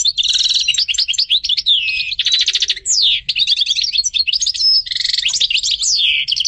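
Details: Continuous song of a European goldfinch: fast tinkling twitters mixed with buzzy trills, a few sweeping downslurred whistles and nasal rattles, all high and lively with no pause.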